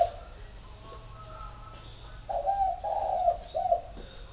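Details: Spotted dove from a home flock in Ba Vì, Hanoi, Vietnam: a single cooing phrase of three throaty notes, the middle one longest, after faint higher chirping.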